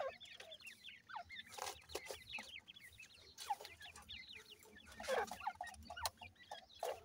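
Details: A brood of desi Irani teetar (francolin) chicks in care keeps up a dense chorus of high, slurred peeps, many overlapping per second, with occasional sharp knocks and handling noise.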